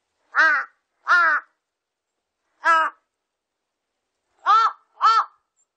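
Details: Large-billed crow, from a 2020 national biological resources collection: five harsh, hoarse caws, two early, one alone at mid-clip, then a quick final pair, set against a silent background.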